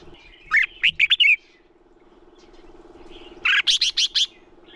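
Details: Lure song of a male red-whiskered bulbul for contest training: two clear phrases of four or five quick, bright whistled notes, about three seconds apart, over a steady mechanical hum.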